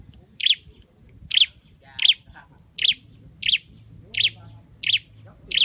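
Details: Indonesian scarlet-headed flowerpecker, caged for song training, delivering eight evenly spaced, bright, high-pitched ticking chirps with light background murmur.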